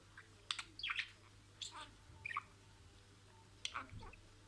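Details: Budgerigar kept as a pet, talking in imitated words: a few sparse, scratchy chattering bursts and short squeaky notes spaced about a second apart, fairly soft against a low steady hum.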